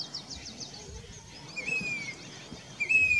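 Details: Grey-bellied cuckoo (Cacomantis passerinus), a monsoon migrant at Danta Ramgarh, Sikar, Rajasthan, India, July 2021, gives two clear, high, slightly falling whistles about a second apart, with another bird's rapid high twittering notes at the start.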